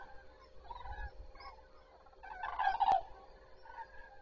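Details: Common cranes at Zastawie reservoir at daybreak on 14 September 2023: soft, distant calls, then a louder rolling trumpet burst after two and a half seconds, with a sharp click near the end.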